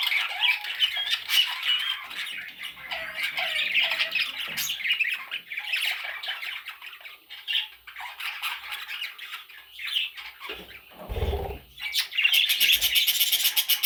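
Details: Baby parrot chicks calling together: a dense, continuous chorus of harsh, raspy squawks and chirps, fast and overlapping, with a brief low thump near the end before the squawking swells again.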